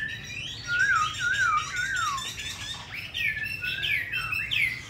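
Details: Hwamei kept in a cage in Hanoi, Vietnam, with a forest-style voice: rich looping slurred whistles rolling downward in pitch, a brief pause, then loud rising upslurred notes.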